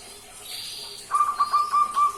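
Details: Young local barred dove about two months old, kept and raised by hand since three weeks of age, learning its song: after a faint hiss, a quick run of five short, clipped mid-pitched coo notes.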